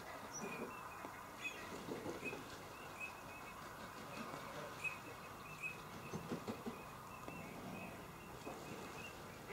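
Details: Green-winged teal at Polemere nature reserve, Shropshire, England, on 26 January 2013: short, high whistled notes repeated at fairly even intervals through a steady hum of distant waterfowl and background noise.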